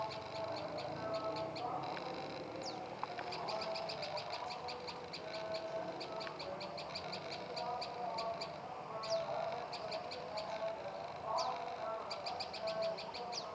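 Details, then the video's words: Long repeated series of bright, high-pitched chips from a tailorbird (prenjak lumut), delivered in fast even runs of many notes with occasional sliding whistles, continuing steadily against a dull background rumble. "Burung Prenjak Lumut Istimewa"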